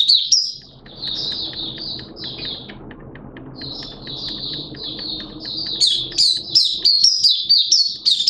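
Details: Malaysian oriental white-eye, a hobby songbird, in open song: thin high twittering phrases, a quieter busy stretch of soft warbling over room hum, then louder sharp chirps rising and falling rapidly.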